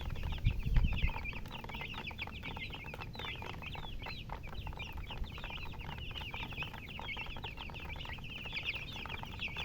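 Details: Baby chickens chirping in a flock: a loud low bump at the start, then a constant run of sharp, high peeps from many chicks at once.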